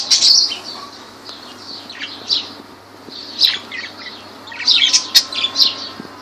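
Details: Lovebirds in Laylan, Kirkuk, Iraq: loud high squeaks at the start, a quieter lull, then renewed bursts of sharp overlapping chirps toward the end.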